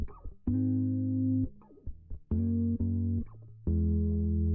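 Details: Plucked guitar and deep bass notes played indoors, with no animal sound heard.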